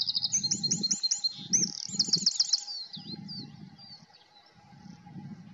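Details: Eurasian wren delivering rapid, high trilled phrases that fade into softer warbling, while repeated low rumbling or flapping bursts sound in the background.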